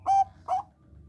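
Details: Bangkok-type zebra dove, used as a lure for other doves, giving two short, clear coo notes about half a second apart, followed by quiet.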